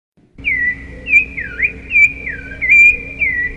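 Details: Rufous-bellied thrush song: after a short silence, a run of clear whistled notes, some dipping sharply down and curling back up, delivered in quick succession over a faint steady hum.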